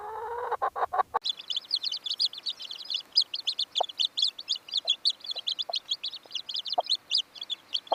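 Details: Hen chicks peeping in a dense, continuous chorus of rapid high chirps, many overlapping each second, after a brief opening run of low, harmonic clucks; a few isolated low clucks break through now and then.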